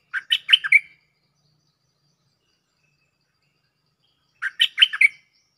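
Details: Cream-vented bulbul calling a mate, recorded as a lure: two matching phrases of four or five quick bubbly notes, about four seconds apart, with silence between.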